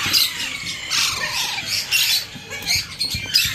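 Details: Baby Alexandrine parakeet taking hand food, making breathy, hissing rasps interspersed with a softer wavering nasal note and small clicking sounds.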